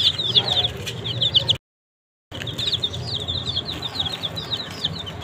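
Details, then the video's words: Young desi chicks eating green leaves peep in a busy high chorus of short downward chirps, broken by a moment of complete silence before the peeping resumes. "Baby Chicks Eat Green Leaf"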